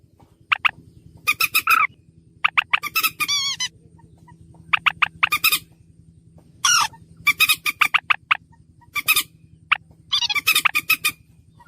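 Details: Calls of a slaty-breasted rail, known locally as mandar batu, played as a lure: loud harsh rasping notes in tight bursts separated by short pauses, some squealing, with a constant low hum beneath.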